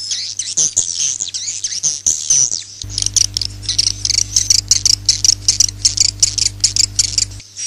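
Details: Swiftlet roosting call used to attract swiftlets to nest houses, 2022: dense, buzzy high chattering pulses repeated rapidly, over a steady low electrical hum.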